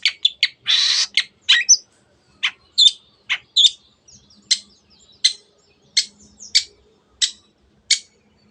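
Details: Long-tailed shrike singing, played to stir other birds into song: an opening loud harsh rasp among high chips, then spaced sharp, squeaky notes about every half second.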